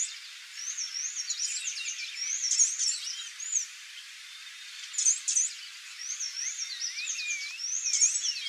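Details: Female swallow tanager (Tersina viridis) giving thin, high chirps and short sweeping notes in quick bursts, with other faint high twitters and a soft insect-like hiss behind.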